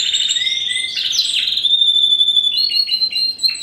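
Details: Spanish Timbrado canary, 2015 first-generation wild canary cross, singing a dense metallic trill, then a long level whistle-like tone, ending in short clipped descending notes.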